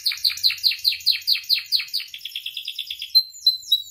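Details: Canary singing in a training and provoking recording: about a dozen quick descending chirps, repeated several times a second, speed into a fast twittering trill, then a few clear high whistles.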